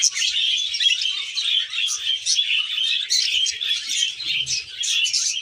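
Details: Budgie making happy sounds at close range, a loud unbroken warble of scratchy chirps, squeaks and whistled notes from start to finish.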